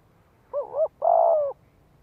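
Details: Spotted dove with a 'giọng hạp' voice, calling to lure wild doves: two short wavering notes followed by a longer, level-then-falling coo, given once in quiet surroundings.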